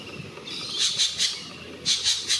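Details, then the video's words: Spangled drongo (Dicrurus bracteatus) calling in treetops in Northern New South Wales, Australia: two quick runs of three harsh, metallic, high-pitched notes, a second apart, over a faint background hum. "Spangled Drongo calling in treetops"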